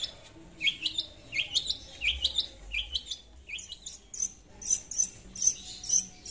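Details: Long-tailed shrike singing in a lure recording meant to call a rival: a run of sharp, hooked whistled notes dipping and rising, then thin high ticks repeated about twice a second over faint background hiss.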